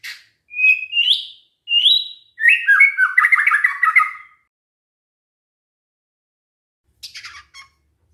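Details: White-rumped shama song used as a lure to make other shamas answer: rising whistled notes followed by a rapid jumbled warble, then silence and a short high chatter.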